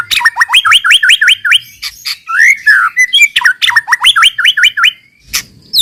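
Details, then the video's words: White-rumped shama song played as a lure to prompt other shamas to sing quickly: rapid series of rising hooked whistles repeated in a string, broken by a warbled downslur, then the hooked notes resume. "pancingan muraibatu yang efektif untuk murai bahan cepat bunyi | shama bird"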